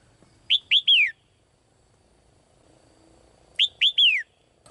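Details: Female caged bird singing brightly to call the male: two bursts of three bright whistled notes, each rising sharply then sliding down, about three seconds apart, with quiet pauses between.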